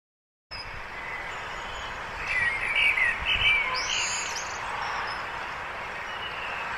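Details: Several birds chirp at dawn in Brussels, short high twittering phrases around the two-to-four second mark over a steady hum of distant traffic.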